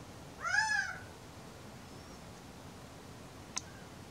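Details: A single nasal, arching call from a male Gambel's quail on a warm, sunny April afternoon, lasting about half a second, followed by quiet hiss and one sharp click.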